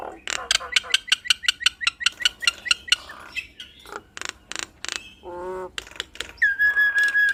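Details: Jalak Nias (Nias hill myna), a kept bird singing eagerly through its repertoire. A quick series of short chirps rising in pitch, then harsh bursts, a low wavering nasal note and a held whistle.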